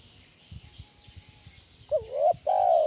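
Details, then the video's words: Spotted dove used to lure and train other doves; quiet soft tapping first, then a wavering rising coo followed by a long strong coo that carries to the end. "SUARA BESAR PANCINGAN TEKUKUR KUK 1 GACOR BANTU TERAPI TEKUKUR ANDA"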